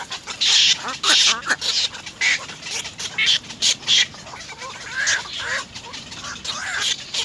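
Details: Three little egret chicks at nest 3 biting their mother to be fed; loud harsh, rasping bursts of chattering calls come in rapid irregular clusters, some with buzzy upslurred notes.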